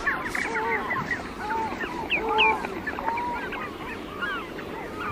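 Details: A flock of geese on the shore of Morecambe Bay gives overlapping nasal honks, some rising and some falling, in a steady chorus with wader calls such as turnstone, dunlin and redshank mixed in.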